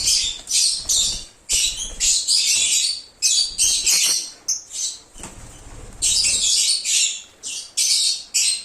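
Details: Lovebirds singing and chirping: dense, shrill high-pitched chirps and squeaky bursts, several voices overlapping in rapid runs with brief pauses, sometimes used as a lure for an escaped lovebird.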